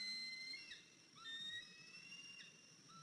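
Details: Eaglet at the nest on 14 April 2023, 103 days old and limping after days away since fledging: high, even whistled notes held for about half a second, separated by brief pauses, with a short upward flick.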